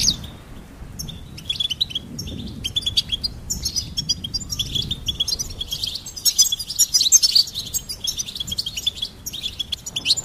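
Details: Goldfinch singing a fast, bright twitter of clipped chirps and liquid trills that grows denser and louder toward the end, over faint low background hum.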